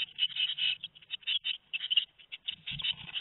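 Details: Tit chicks aged two weeks at Théding, 13 May 2019, give short hissy squeaks in uneven clusters, thinning out, with a soft low knock near the end.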